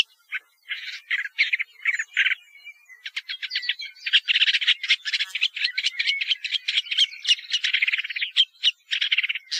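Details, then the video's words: A few squeaky, scratchy notes from a Woodchat shrike, building into rapid, dense warbling chatter that becomes almost continuous in the second half; quiet background. "Canto del Alcaudon Común"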